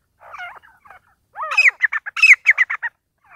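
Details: Partridges (teetar) fighting: harsh, chirpy calls, first a few wavering notes, then a bent rising-and-falling double note followed by a quick burst of about eight short, strident repeated notes in a second and a half, with brief pauses.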